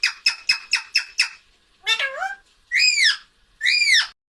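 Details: Pet parrot trying to call its owner by saying "mummy": six rapid clipped notes, then a wavering descending utterance and two arched, speech-like calls, with nothing else audible.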